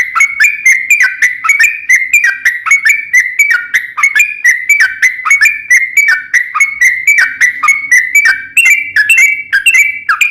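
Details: Long rapid song of a yellow-vented bulbul, used to draw other bulbuls into song: a continuous string of quick whistled notes, each with a sharp downward flick, repeated about three times a second throughout.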